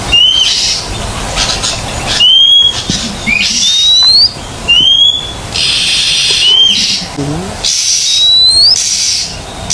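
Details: Oriental magpie-robin on a training recording meant to make silent birds sing: clear upward-sweeping whistles about every two seconds, alternating with loud hissing bursts.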